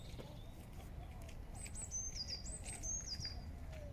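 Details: Eurasian blue tit feeding in Regent's Park, London, giving high thin notes dropping into a fast trill, repeated twice within two seconds, over steady low city rumble.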